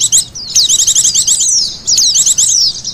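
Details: Oriental white-eye lure call: high, thin chirps in fast rattling bursts mixed with sharp downslurred notes, two dense bursts separated by a short pause.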